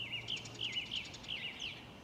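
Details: On 31 March 2021 on a countryside walk near Burnham Green and Datchworth, Hertfordshire, a song thrush sings busily at a distance, with bright, clear phrases of quick repeated notes over a faint low hum.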